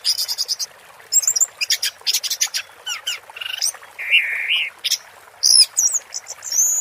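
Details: Orange-headed thrush 'teler' song mixed with water therapy: stuttering trills, rasping bursts and a drawn-out wavering whistle in the middle, ending in thin high squeals, steady soft rushing underneath.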